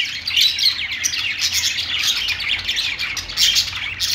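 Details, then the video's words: A flock of budgerigars in a pet store chatters nonstop, with overlapping high, scratchy chirps and warbles forming a dense, busy twitter throughout. "budgies calling sounds | parakeet chirping sounds"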